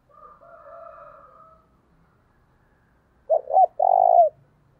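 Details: Decoy spotted dove coo for bringing in wild doves: a faint steady tonal hum at first, then silence, and finally two short low notes and a long rolled coo.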